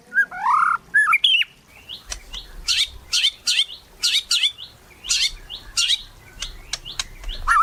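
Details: White-rumped shama singing strongly, used to coax other shamas to sing: a rich, rising whistled phrase, then a string of short, sharp, bright notes spaced irregularly, with quiet low background rumble.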